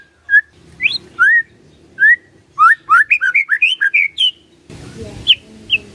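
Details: White-rumped shama song used as a lure to make a silent bird respond: loud clear whistled notes, many sharply rising, in an uneven run that quickens mid-phrase, then a burst of broadband noise with two last whistles; low hum beneath.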